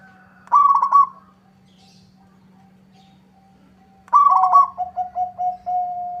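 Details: Zebra dove, a local perkutut, in full song meant to provoke a rival's reply: two phrases about three seconds apart, each a quick burbling trill, the second running on into a string of lower clipped coos; a steady low hum underneath.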